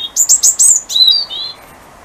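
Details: European robin singing its territorial song in darkness at 7:20 am on the winter solstice, 21 December, from bushes by a back door, a second robin nearby: four quick high squeaky notes, then thin sliding whistles that drop in pitch and fade.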